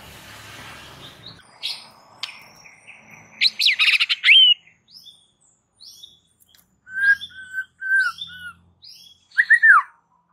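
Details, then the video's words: White-rumped shama singing an aggressive, fired-up song used as a training master to ready birds for fighting; loud buzzy bursts, a thin drawn whistle, then short slurred whistles and a final rising-falling note. "jadikan Murai Batu siap TARUNG dengan MASTERAN Murai Batu GACOR NGAMUK satu ini"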